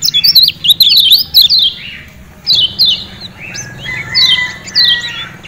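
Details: Ciak ciak calling by a Lombok lemon-bellied white-eye: an opening rush of quick, high, zigzag chirps, followed by spaced single chirps that slide downward, about one per second, with a soft echo.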